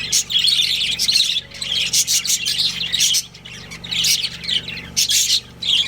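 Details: Budgies from a pet breeding pair chirp and chatter in scratchy, buzzy bursts separated by short pauses, steady low hum underneath.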